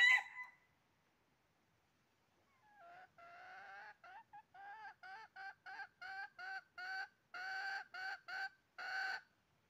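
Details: Wild red junglefowl at a trap, 20 January 2023: after a brief sharp note, a steady series of about fifteen short throaty clucks, each roughly half a second apart and growing louder.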